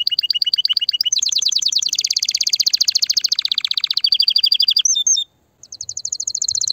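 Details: Excited canary song for mating: a quick two-tone trill rises into a dense, buzzy high roll, then a brief twisting flourish, a short silence, and a fresh rapid trill.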